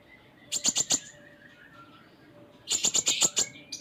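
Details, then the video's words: Konin, or kolibri ninja, a sunbird in vigorous 'gacor full isian' song filled with varied phrases: two bursts of rapid, very high, sharp chirps, about five notes each, separated by a quiet pause. "Konin Gacor Full Isian"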